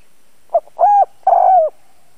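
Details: Lure spotted dove with a fine calling voice, used to attract wild doves. Three low hollow notes: a short soft note, a steady coo and a longer coo that drifts downward at the end.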